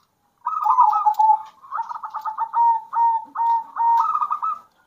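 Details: Zebra dove, local and captive-bred birds alternating, used as a lure to provoke other doves into singing: a rapid series of soft stuttering coos near one pitch, broken into short bursts, ending in a brighter rolling phrase.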